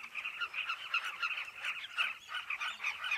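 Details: Many carmine bee-eaters call at a cliff nesting colony, their short rolling notes piling into a busy, unbroken babble with slight rises in loudness.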